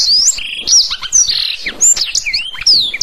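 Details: Black-throated canary song meant for canary training: varied high whistles, a short buzzy trill, swooping slurred notes and sharp chips delivered in quick succession.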